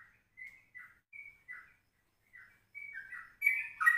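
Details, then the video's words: Yellow-vented bulbul in a morning recording at 04:30, used as a lure and as tutor song in the rapid ropelan style. Short bubbly, slurred notes come in spaced bursts and end in a louder, richer chattering phrase. "Pancingan 04.30 Trucukan Rekaman Pagi"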